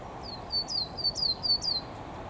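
Coal tit song: a quick run of high, thin, down-slurred whistles, about three a second, over a faint background hiss.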